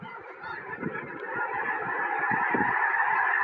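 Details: Hundreds of snow geese landing beside a house in Tennessee, January 21, 2026, before a forecast snowstorm; the flock's nasal honking swells louder over the clip, above quick irregular low thuds.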